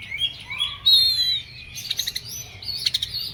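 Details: Agitated Oriental magpie-robin delivering a long, clear, level whistle, then a rising whistle and a burst of clipped, rattling notes; faint low background hum.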